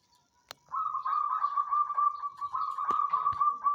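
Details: Zebra dove of the banyumili type in a knitted cage, singing a loud continuous rolling trill of rapid beaded coos held at one pitch, with a few sharp clicks.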